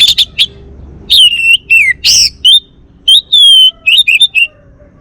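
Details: Caged male orange-headed thrush of the Bali type singing loud, clear whistled phrases: drawn-out slurred whistles alternating with quick chips and short harsh bursts, separated by brief gaps.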